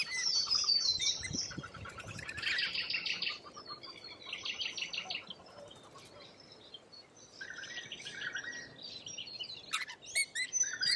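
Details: Australian wild lorikeets: bursts of buzzy, shrill chatter separated by quieter stretches, with background hiss and a sharp click near the end.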